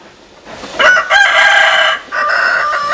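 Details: Rooster crowing: a loud, harsh, broken crow in several bursts, the first short and the next long and sustained, with a final drawn-out burst after a brief gap.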